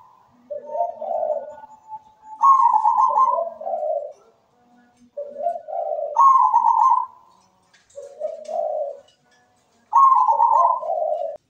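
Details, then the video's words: Captive zebra dove, a local perkutut, singing a melodious song: phrases of soft rolling coos, each opening with a higher note and falling to a lower burbling coo, repeated about every four seconds, recorded indoors. "MEWAH PERKUTUT GACOR SUARA MERDU"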